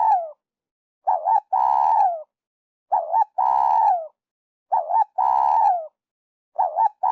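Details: Spotted dove call used by trappers as a lure, An Khe, Vietnam: a repeated phrase of a quick double coo followed by a longer, buzzy, downward-sliding coo, recurring about every two seconds, four phrases heard.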